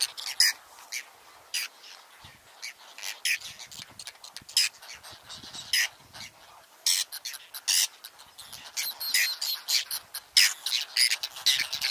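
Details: Whiskered terns at their breeding colony in the Astrakhan reserve, Russia, July 2017, nests still holding eggs. Harsh, scratchy calls come in scattered bursts, sparser at first and then thickening into an overlapping chorus.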